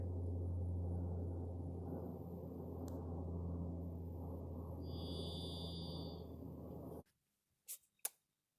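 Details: In Alaska, outdoors, a singing varied thrush gives one long, steady, buzzy whistled note, high and eerie, under heavy wind rumble. A few sharp clicks follow at the end.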